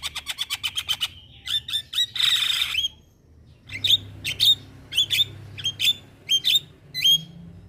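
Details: Lure recording of starling calls meant to make starlings respond: quick ticking chips open, then a harsh buzzy squawk, followed by spaced sharp whistled notes with rising ends, repeated about every half second.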